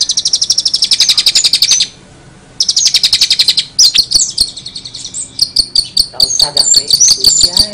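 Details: Long-tailed shrike singing strange, chattering sounds: a fast, even run of high, sharp, buzzy notes, then a short pause and a second run, then jumbled high whistles and chips that rise and fall.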